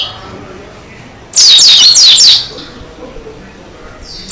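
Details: Oriental white-eye (pleci dakun) in full song with open beak; one loud second-long run of thin, high descending chirps amid otherwise quiet surroundings, a new burst starting at the end.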